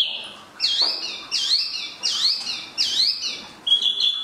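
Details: Spot-throated babbler (tieu mi) repeating a swooping whistled phrase about every three quarters of a second, each a dipping slur, closing with a steady clear whistle.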